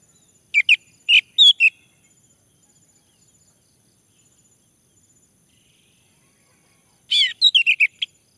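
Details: Lure song of a male orange-headed thrush meant to make a male sing: an early run of four sharp whistled phrases, then a long pause and a denser burst of slurred notes near the end. A thin constant high hum runs underneath.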